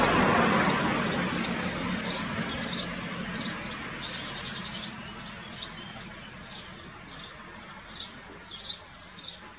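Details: Common kestrel young feeding at Dohr on 4 June 2015 after the male brings a mouse: rumbling noise fades at first, then short shrill high calls repeat about every 0.7 seconds.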